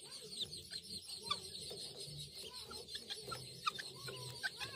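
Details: Helmeted guineafowl keets raised by a hen, out eating grass for the first time alongside a chick; brief high chirps and a few thin upslurred whistles, irregular and overlapping, over constant farmyard background noise.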